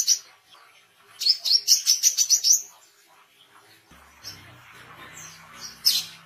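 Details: Oriental white-eye chirping, a recording used to train songbirds and lure wild birds: a quick run of about ten high, sharp, rising notes, then a quiet stretch with a low hum and scattered brief high chirps.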